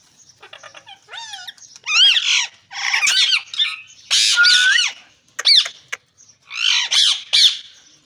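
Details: Ring-necked parakeet, a green parrot, calling almost continuously. Dense overlapping screeches, grating squawks and wavering shrill notes run in loud bursts, with one rising whistled note partway through.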